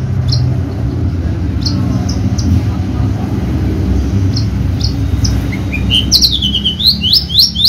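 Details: Contest-bred Horsfield's bushlark from Java gives spaced single high chips, then a climbing phrase that breaks into a quick series of looping, upward-flicked whistles at the end, over low rumbling noise.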